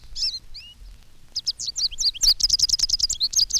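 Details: A few high upslurred notes, a pause, then a fast bright burst of canary-like twittering from an American Goldfinch flock on telephone wires, whose chickaree serves as flight call and bay-bee as alarm note.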